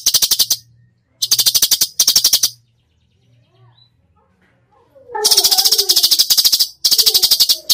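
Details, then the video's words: Cucak cungkok in full tembakan song: several rapid rattling click bursts, a quiet gap, then longer rattles mixed with low warbled notes. "masteran cucak cungkok gacor full tembakan"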